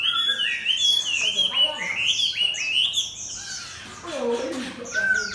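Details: Chinese hwamei, a competition bird caged next to a fighting bird, tail spread and not closed; series of loud ringing whistled phrases, each sweeping upward, repeated in quick succession, followed by lower varied notes.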